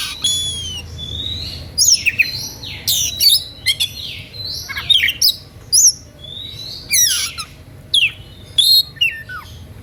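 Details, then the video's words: Vigorous Oriental magpie-robin song meant to provoke listening rivals into singing; opens with a level whistle, then dense sequences of swooping whistles, scratchy bursts and sharp chips repeated through the phrase. "SUITAN KACER NGEPLAY EMOSI MEMANCING LAWAN IKUTAN BUNYI"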